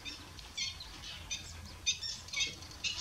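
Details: Marbled duck at S'Albufera on 6 June 2023 gives a run of short, nasal, squeaky notes, about seven in three seconds at a steady pace, over a faint low rumble.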